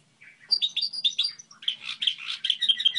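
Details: Goldfinch hybrid singing its song model: soft low chirps build into a fast series of bright twittered notes, then a buzzy, rattling warble and clear repeated high notes, over a faint low hum.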